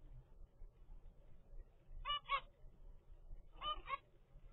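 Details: Zebra finch baby at 25 days in a home breeding setup gives two brief nasal double notes about a second and a half apart over a quiet low rumble.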